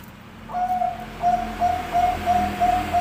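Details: Bangkok-type zebra dove singing: a run of short, pure cooing notes at one steady pitch, spaced about three per second, over a low background hum.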